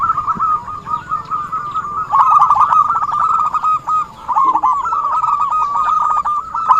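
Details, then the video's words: Zebra dove lure call for trapping. Continuous rolling coos at a level pitch grow louder after two seconds, with a short lull near four seconds. "suara burung perkutut buat pancingan || suara pikat perkutut"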